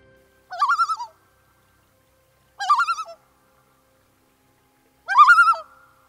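A common loon gives three short, wavering phrases about two seconds apart, each rising sharply and then quavering at a high pitch. No other sounds are heard.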